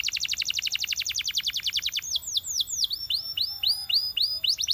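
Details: Belgian canary, singing to set others off, delivers a rapid even trill of falling notes for two seconds, then slower swooping whistles rising and falling with scattered chirps.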